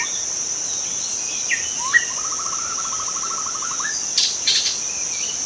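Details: A young wild white-rumped shama in forest gives a short upward whistle, then a long even rattling trill lasting about two seconds; constant shrill insect buzzing throughout, with a few brief noisy bursts near the end.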